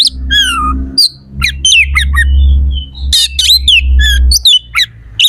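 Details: Oriental magpie-robin in full competition song with rough, sharp imitative fills, played to provoke rival magpie-robins into responding and fighting; harsh squawks, buzzy notes and whistled slurs in rapid bursts over a steady low hum.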